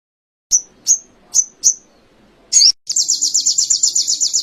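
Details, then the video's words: Canary-style song from an Indonesian training recording for songbirds: four clear high descending whistles, a short harsh burst, then a rapid high trill of evenly pulsed notes. "Masteran sogon kekinian materi kenari"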